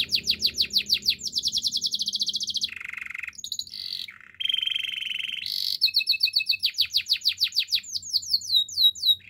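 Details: Canary singing a training song, shifting between rapid high trills, a grating lower buzz, and brief pure whistles, then bursts of quick repeated downslurred notes. The tours change every second or two, with a little low rumble at the start.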